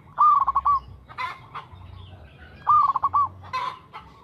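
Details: Perkutut, the local zebra dove, with two loud song phrases: a high hooked coo followed by four or five rapid pulsed notes, about two and a half seconds apart, with brief noisy chirps between.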